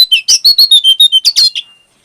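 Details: Rapid burst of about ten sharp, high-pitched chirps within under two seconds, clear and loud, finishing with a short fading note; brown prinia song in chirping, fluting style meant as a training model for caged birds.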